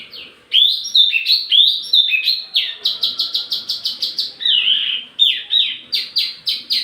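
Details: Lure and tutor recording of a wambi mini: loud sliding whistles open into a rapid even series of sharp repeated notes, ending in looping warbled phrases and downslurred chips.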